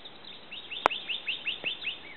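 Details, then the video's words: Pyrrhuloxia (Cardinalis sinuatus, desert cardinal) singing near Llano, Texas, in May: a quick run of short, slurred whistled notes, about five per second, with a single sharp click near the start. "Pyrrhuloxia singing"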